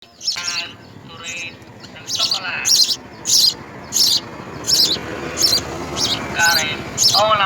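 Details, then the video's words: House sparrow nestlings being fed insects at the nest give sharp, high chirps, about nine bursts repeated roughly every two thirds of a second, with a few lower harmonic sounds early on. "House Spsrrow Feeds Insects to Babies"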